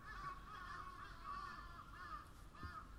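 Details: A dense chorus of crows, the caws overlapping into a near-continuous harsh, nasal murmur with a few louder calls standing out, over a low background rumble.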